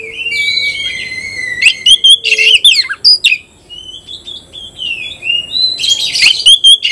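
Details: Oriental magpie-robin in a singing contest with a rival, opening with long level whistles, then loud harsh bursts, rising whistled slurs and a closing cluster of sharp chattering notes.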